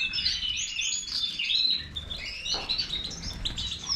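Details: Major goldfinch delivering a dense, high twittering song of tinkling notes and short slurred whistles, steady and unbroken for the whole stretch.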